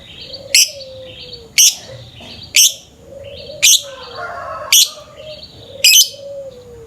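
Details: Lovebird calling in the morning for a lure recording: loud harsh high chirps about once a second, six in all, with softer buzzy notes in between.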